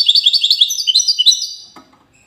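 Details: Wydani-type European goldfinch from the city of Safi, Morocco: a quick series of bright, high chirps repeated about eight times a second, then fading out.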